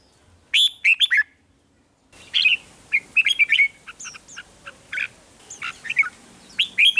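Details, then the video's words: Red-whiskered bulbul in a cage in Thailand singing rik-style phrases of quick whistled notes, joined midway by a noisier background with many thin high chirps from other birds. "เสียงนกกรงหัวจุก ร้อง ริก เปิดให้นกฟัง ยั่วให้นกคึกจัด"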